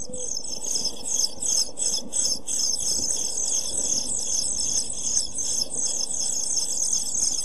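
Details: Seven-day-old European pied flycatcher chicks in a nest box, 23 June 2012, keep up a thin, high, hissing chorus of begging calls, pulsing a few times a second, over a low muffled rumble.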